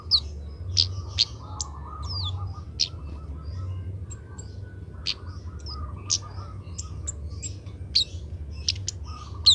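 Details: Oriental magpie-robin, a young bird trained to sing early, practising its song: a loose series of thin high chirps and short slurred whistles spread through the clip, with a broken buzzing band and low rumble behind.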